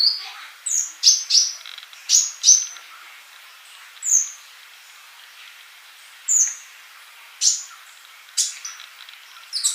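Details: Male sunbird singing actively, used as a tutor song for young birds that do not sing yet; high, thin chirps and short sharp trills, irregular bursts roughly every second, bright and piercing, over a faint background hiss.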